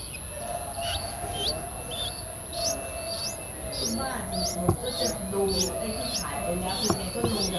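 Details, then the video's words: Streak-eared Bulbul chicks nine days old, Ubon Ratchathani, Thailand, 11 April 2023: sharp rising high notes given roughly every half second, over soft low rustling and knocks in the background. "นกปรอดสวน อายุ 9 วัน : Streak-eared Bulbul"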